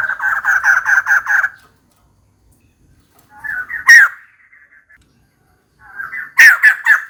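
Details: A female white-crested laughingthrush calls for a mate. A rapid stuttering run of about seven rhythmic notes opens, then, after a pause, a single loud harsh burst and a closing cluster of three sharp notes.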